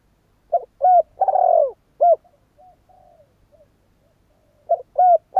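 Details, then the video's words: Oriental turtle dove cooing: low hoarse phrase of short coos, a longer rolling purr in the middle, then a short coo, repeated after a pause with faint softer coos between. "CHIM CU GÁY"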